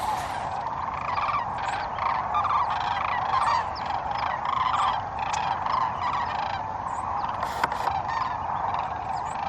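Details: Migrating sandhill cranes at their main night roost at Pixley National Wildlife Refuge, California, calling to communicate in a sound said to carry for miles. A massed chorus of rolling, rattling calls with layered harmonics, continuous throughout, from many birds.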